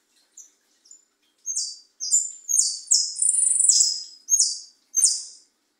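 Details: Caged European goldfinch (jilguero) acting as a tutor bird, singing a phrase of bright, high whistled notes and buzzy slurred syllables, starting with two soft chips and then running into a rapid sustained trill near the middle.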